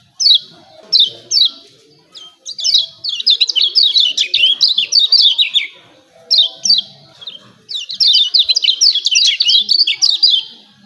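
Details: Lemon-bellied white-eye 'ciak ciak' calls, used as a lure to make birds sing. Short single chirps alternate with dense, excited bursts of high, jumping notes, repeated in several waves against a quiet background.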